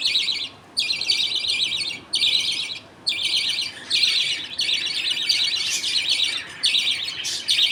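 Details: Budgerigars in a colony at feeding time, with the father passing millet paste to two chicks and others waiting. Harsh, buzzy, high chatter repeats in bursts of about a second, broken by short pauses.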